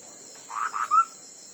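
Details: Ground hwamei in a song contest, uttering two quick husky notes and a final level whistle, with a faint high tone running behind.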